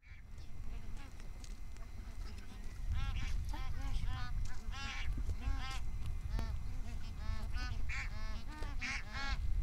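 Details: A flock of bar-headed geese feeding at Tehla Jheel in Sariska National Park, Rajasthan, on their north Indian wintering lakes, give overlapping nasal, arched honks that thicken into a steady chatter after a few seconds, over a low wind rumble.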